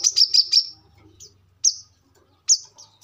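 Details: Brown-throated sunbird, kolibri kelapa, recorded as a song model and lure: a quick cluster of four shrill high notes, then two separate bright, rising chirps after silences, with a faint low hum underneath.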